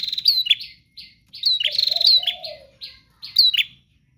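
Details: Prinia singing 'gacor', full length without pause: rapid high chirpy notes in quick bursts, a soft low coo running underneath mid-phrase.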